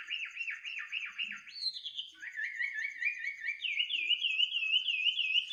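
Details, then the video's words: Bird singing in the dead of night: repeated looping whistled notes, then rising slides and a run of quick even chirps climbing slightly in pitch, over a steady high insect trill. "kicau burung di tengah malam"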